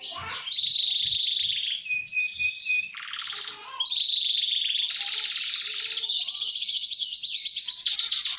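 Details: Canary song for roll and speed training, changing through steady whistled tones, pulsed notes, a low buzzy trill and a long fast rolling trill that rises in pitch.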